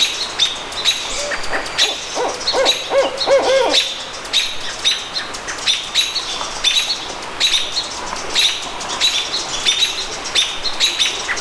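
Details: A barred owl at the Squamish River Estuary on May 17, 2014, gives a brief burst of quavering, wavering hoots early on, set against steady high chirping and twittering from other birds.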